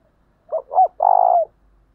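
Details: Spotted dove cooing in an intense, urgent style, played to lure wild doves into cooing back: two short hooked notes followed by a longer, steady, slightly buzzy coo, over a quiet background.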